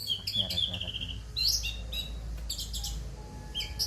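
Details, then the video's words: Tembakan-style song of an orange-headed thrush with rough material, made of quick chirps and short whistled notes in a fast, uneven series, with a low background hum. "tembakan anis merah rapat vol tembus materi kasar"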